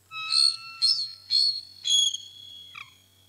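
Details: Bald eagle at the Decorah North Nest during an intruder encounter in March 2018: four loud, piercing, wavering whistled notes about half a second apart, then a drawn-out fading tone and a short downward slur, over a low hum.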